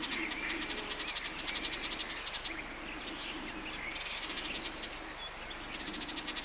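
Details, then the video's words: Sardinian warbler in the Matarraña riverside grove, June 2011, giving fast dry rattles of clicking notes at the start and again near the end, with whistled song phrases of other birds in between. "Voces de Curruca mirlona"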